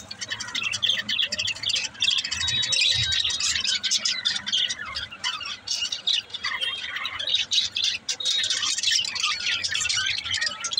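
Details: Several budgerigars keep up a continuous, high-pitched warbling chatter full of squeaks, rasps and quick chirps, dense and unbroken throughout.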